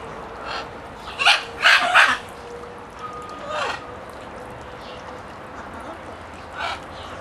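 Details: Talkative parrot making a cluster of short, harsh, noisy squawks in quick succession, then a fainter call and a lone final squawk, against a steady faint tone and quiet room noise.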